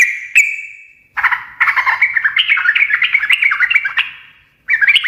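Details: Bright note with a long fading ring, then an extended bubbling chatter of warbled, wavering chirps. This 'gacor ngekek' singing comes from a sooty-headed bulbul and breaks off before restarting briefly.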